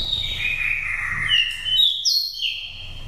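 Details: Oriental magpie-robin, a nest-raised bird from Dak Lak, Vietnam, with five moults and a pure wild-type voice used to excite birds coming into condition or to lure wild birds: clear whistled phrases sliding downward, then high, sustained, slightly rising whistles.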